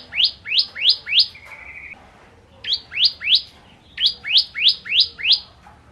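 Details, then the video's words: Bar-winged prinia tutor song for white-rumped shamas: groups of about four upswept whistles, a flat buzzy note after the first group, the groups repeated with short pauses. "Masteran Ciblek Kristal Gacor"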